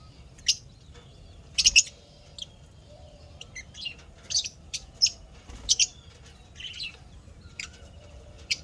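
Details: Pet lovebirds chirping happily, recorded 12 May 2025: short sharp high chirps and squeaks in irregular bursts, some in quick pairs, separated by quiet pauses with faint background hum.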